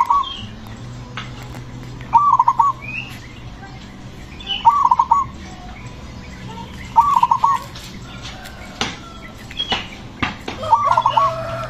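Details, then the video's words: Zebra dove, a loud aggressive singer used to provoke other doves into calling, repeating a short bubbly cooing phrase roughly every two and a half seconds, with a faint distant answering dove, clicks and background hum. "perkutut ini suaranya bikin GREGETAN memancing bunyi perkutut lain"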